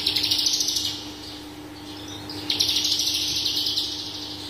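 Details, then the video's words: Horsfield's bush lark of the parva form, singing energetically with a full repertoire: a rapid run of high chirped notes for about a second, a pause, then another fast burst, over a steady low electrical hum. "BRANJANGAN parva gacor dor full isian"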